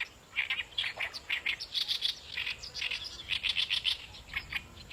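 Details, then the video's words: Oriental reed warbler in the wild giving a steady string of rough, scratchy chirping notes, closely repeated and varying slightly in pitch, over a soft hiss of background. "Kicauan Kerak Basi Besar di Alam Liar"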